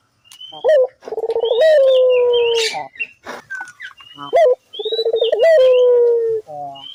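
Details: Barbary dove in lively voice, recorded as a lure so other doves join in: two rolling coos, each a quick rising note and then a long pulsed descending hum. Scattered high chirps from other birds fill the gaps.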